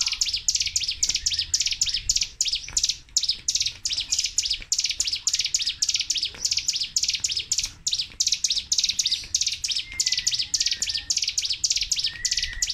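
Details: Sunda warbler (local name cigun or ciblek gunung) giving a 'tembakan' song without breaks. Steady torrent of very high, quick chips and trills, with occasional faint lower whistled notes.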